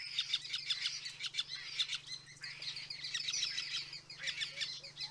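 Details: White-fronted (cactus) woodpecker at Mariscal Estigarribia, 9 August 2022, giving busy, high chattering calls, many quick overlapping notes without pause, over a steady low hum.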